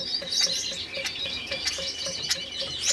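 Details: Captive red-headed Gouldian finches, a breeding pair recently put together, in courtship: dense, high, hissing and buzzy warbling runs without pause, and a soft, low tick repeats about twice a second underneath.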